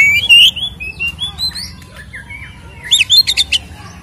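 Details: Oriental magpie-robin, known locally as kacer, in 'ngeplong tarung' lure song meant to anger other kacer: a loud whistle and gentle warbled phrases, then a fast cluster of sharp high notes near the end.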